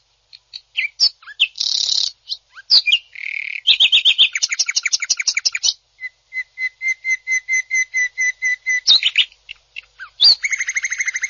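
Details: Greater green leafbird, a national-championship bird, in a long rough 'tembakan kasar' sequence: chirps and harsh rasps, fast chatter, a steady row of clear repeated notes, and a closing buzzy trill.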